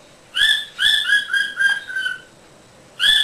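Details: Indoor pet Quaker parrot whistling a quick series of five clear, pure notes that gently fall in pitch, followed by a pause and one more loud note.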